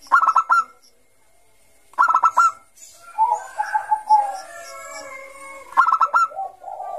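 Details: Three bursts of quick staccato notes separated by softer bubbling coos from a Bangkok-type zebra dove in lively ngayer song, meant to lure young doves.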